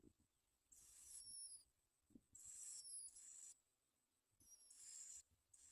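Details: Bar-winged prinia chicks at a nest while parents bring baby locusts to feed them: three hissy, high-pitched bursts, each under a second long, separated by quiet gaps, with a faint steady high whine behind them.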